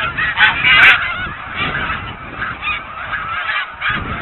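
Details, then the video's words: Snow geese wintering on ponds behind a refuge visitor center at Blackwater, feeding and resting: many overlapping nasal honks in bursts, swelling and fading, with a few clearer individual yelps above the murmur. "Snow Geese Action on the Blackwater Waterfowl Cam"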